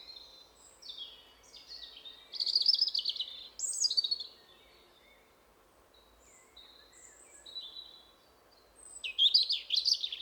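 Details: European robin song in a forest during spring breeding, marking territory while a second robin answers from farther away. Loud bursts of high, tumbling trills and clear piping notes alternate with quieter, distant whistled phrases.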